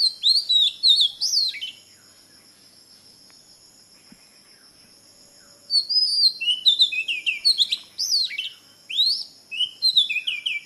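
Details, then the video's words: Oriental magpie-robin, called mannathippullu in Malayalam, sings loud, varied whistled phrases of swooping and trilled notes, an opening burst followed by a four-second pause and then a sustained stretch of repeated rising and falling phrases. "Oriental Magpie Robin മണ്ണാത്തിപ്പുള്ള് Copsychus saularis"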